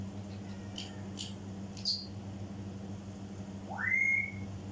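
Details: An African grey parrot imitating sounds: a few soft clicks and a short high whistle, then a loud, smooth whistle sweeping upward and levelling off, heard over a steady low room hum.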